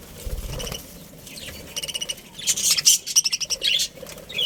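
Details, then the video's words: Budgerigar family in a breeding colony: quiet start, then bursts of bright, high chirps and chatter from about the second second onward, quick notes clustered in short runs. "Cute Budgies Chirping Sounds"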